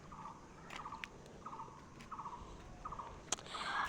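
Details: Chicken in a rural homestead courtyard in Barisal, Bangladesh, on a sunny day gives short, rapid, stuttering clucks in mid pitch roughly every half second, with a few sharp clicks, faint hum and other birds calling.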